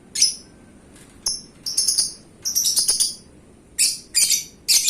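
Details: Prized pet lovebird giving clusters of high, piercing chirps and short chattering bursts, some notes doubled, with brief pauses between groups.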